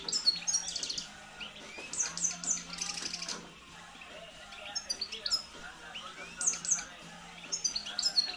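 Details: Hand-reared campero European goldfinch from 2013, kept caged, singing loudly: quick runs of high, liquid twitters and sharp chirps, with buzzy trills. The phrases return every second or two, over a soft low hum.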